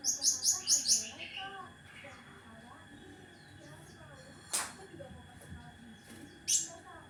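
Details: Cucak ranting opening with a short burst of four sharp, very high chipping notes, then quieter twittering, a loud click and one more brief high note, with low hum behind.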